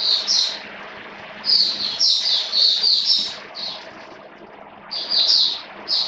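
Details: Caged Oriental white-eye, called Mata Puteh, recorded in rainy weather on 29 September 2022, gives high thin twittering notes in short clustered runs over a steady hissing background.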